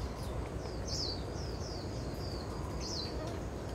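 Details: Dark-sided flycatcher (Muscicapa sibirica) in Yilan, Taiwan, calling with thin, high, slurred notes every half second or so, faint above a steady low rumble of wind or distant traffic.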